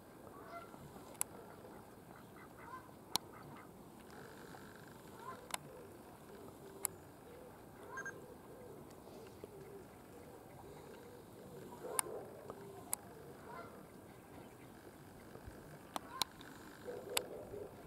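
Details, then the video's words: A few domestic ducks at Hendre Lake, St. Mellons, giving faint nasal honking calls scattered through the recording, with sharp clicks and a steady low background hum. "Domestic Ducks"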